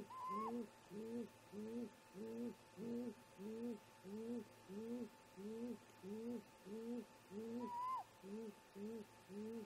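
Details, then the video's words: Great grey owl parents chatting at their nest around 04:25 MDT on a July morning: a long, steady series of low, arched hoots repeated roughly every 0.6 seconds, with two higher, rising whistled calls, one at the start and one near the end. "Great Gray Owl - Parents Have a Talk"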